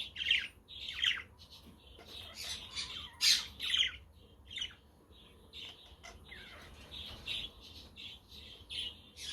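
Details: Budgerigars chirping on a windy, sunny day, offered as company for lonely budgies; dense overlapping squawks and warbled chirps, with louder harsh bursts near the start and middle, over a faint low rumble.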